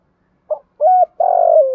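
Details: Spotted dove, male and female voices used to train decoys and attract wild birds: a faint short note, a smooth level coo, then a long rasping coo that slowly slides lower.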